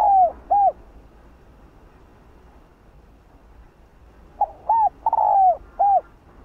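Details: Spotted dove kept as a cage bird, cooing: two short hollow notes, a long pause, then a four-part phrase with a drawn-out sliding middle note and a rounded closing coo.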